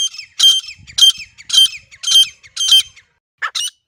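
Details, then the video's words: Wild grey francolin calling in natural surroundings, a call used for hunting: harsh, high, ringing notes repeated roughly twice a second in a steady series, then a short pause and two closing notes. "گری فرانکولن کی زبردست شکار والی آواز"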